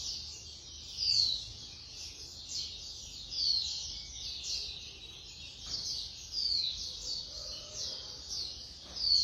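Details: White-eye singing fast, in a rapid-fire style. High, thin twittering phrases tumble together almost without pause, with sharper whistled accents repeating every two seconds or so. A couple of faint clicks sound in the background.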